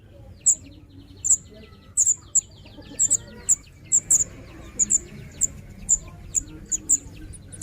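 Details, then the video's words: Young Scarlet minivet calling with piercing high short chirps, often doubled, coming about every half second in a steady series over a soft low background rumble. "anakan cit kemade"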